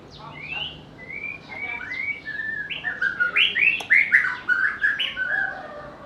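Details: A White-rumped shama sings, starting with spaced whistles and building to a quick, loud sequence of upslurred and downslurred notes near the end. The bird has a varied voice and mimics other species.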